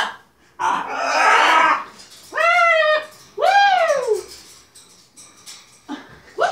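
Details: Pet macaws playing with their owners indoors with tea towels: a harsh, noisy cackling burst, then two loud, arching, harmonic 'wooo' calls that rise and fall, with short pauses and faint rustling between them.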